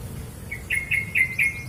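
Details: East Java female long-tailed sibia, used to prompt silent males into song, utters four short, clear whistled notes of even pitch, spaced about a quarter second apart.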